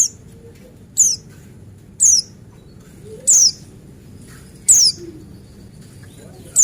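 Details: Male Buxtoni white-eye used as a lure to make other white-eyes sing: sharp, high whistled notes sliding steeply downward, each about a quarter-second long, repeated roughly once per second over a low background hum.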